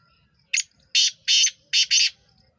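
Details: A black francolin, recorded 23 September 2023, gives a loud, harsh, grating phrase: one short rasping note, then two pairs of scratchy notes, all over in about two seconds.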